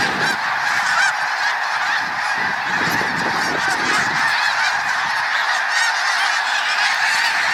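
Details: Snow Geese in their thousands passing overhead after lifting off from water, heard on a hike: a massed wall of high, yelping honks blending into a steady clamor.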